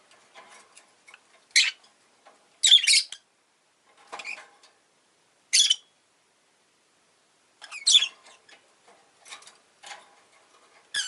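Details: Pet rosy-faced lovebird utters isolated high, scratchy chirps every one to three seconds, some doubled, with faint softer chatter between them.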